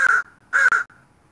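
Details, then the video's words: Northwestern crow calling in the early morning of 29 May 2021: two loud, harsh, hoarse caws, each about a quarter second long, separated by a short pause, with no other notable sounds. "morning crows"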